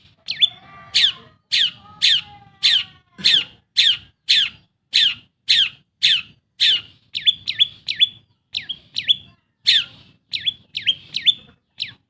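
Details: Long-tailed shrike, a pet bird, in vigorous song used to prompt quiet birds into singing: loud harsh downward-swept notes repeated roughly every half second, later mixed with shorter clipped chirps, over faint low hum.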